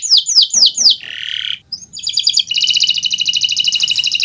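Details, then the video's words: Canary (Kenari Nusantara) singing as a tutor recording for other birds: four loud downslurred notes, a short buzzy phrase, then a high rapid rattling trill of repeated notes. "Suara Burung Gacoran Kenari Nusntara, untuk Masteran Belajar Bunyi"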